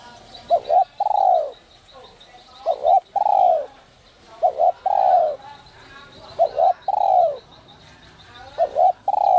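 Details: A spotted dove, whistle-voiced 'còi te te' type used to excite wild doves, repeats its phrase five times at roughly two-second intervals. Each phrase is a clipped two-note start and then a drawn, descending coo, over steady high chirping from small birds.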